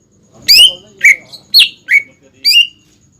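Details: Greater green leafbird in full song, used as a training lure for young and untrained leafbirds to copy; five loud, sharp whistled notes, some sliding downward, spaced about half a second apart with brief pauses.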